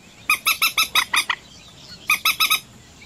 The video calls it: Moorhen Bird Call | কালকুচ পাখির ডাক | Jal Murgi Pakhir Dak | Common Moorhen Sound